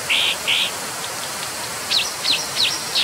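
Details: Brown dipper (Cinclus pallasii) giving two harsh buzzy notes, then four quick sharp up-and-down chirps, over constant rushing background noise.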